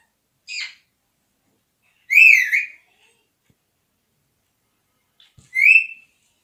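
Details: A talking parrot whistles three times: a brief high chirp, then a longer slurred, bending whistle about two seconds in, and a similar rising whistle near the end, with silent gaps between.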